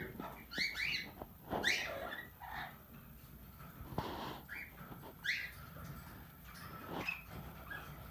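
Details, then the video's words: Pet plum-headed parakeet, tame and said to talk, producing a run of quick rising squeaks and chattering notes, several in close pairs, with soft clicks and background noise between them. "Talking Plum Headed Parrot"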